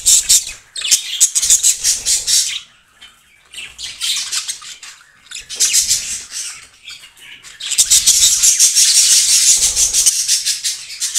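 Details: Pair of breeding budgerigars in yellow, blue and green plumage give long stretches of busy scratchy warbling and clicks, broken by short quiet gaps, ending in a loud continuous chatter.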